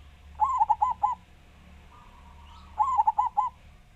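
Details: Big-voiced local perkutut, the zebra dove, from Java singing two short phrases of four or five bubbling coos about two seconds apart, with a faint drawn-out whistle between them and a steady background hum.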